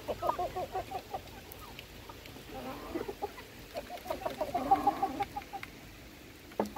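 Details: Chickens being fed, several hens clucking rapidly in choppy runs, rising into a busier chorus of overlapping clucks and a held cackle toward the end, with faint clatter behind.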